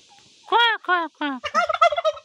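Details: A domestic turkey hen in a Nepali village gives three loud, close, drawn-out harmonic yelps ("kor kor kor"), then a fast run of shorter clucking notes.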